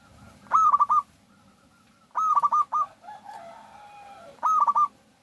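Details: Local zebra dove, a strong singer, used as a lure to prompt other doves to sing: three bursts of rapid, bright, stuttering coos about two seconds apart, with a long softer note between the second and third.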